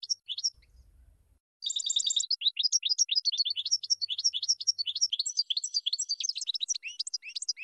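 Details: European goldfinch in a song-training recording for birds: a short twitter, a faint low rumble, then a long unbroken stream of quick, high, tinkling chirps and trills.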